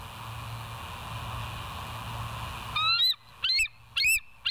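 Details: At the West End bald eagle nest, early morning 05:06 on 22 July 2023, a high squealing whistle leads into a run of four sharp, shrill piping chirps with pauses between, over a droning background.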